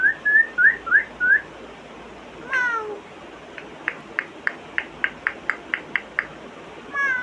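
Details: Imitations by a pet African grey: five rising whistled chirps, a falling swoop, then a steady train of about ten sharp clicks, ending with another swooping whistle.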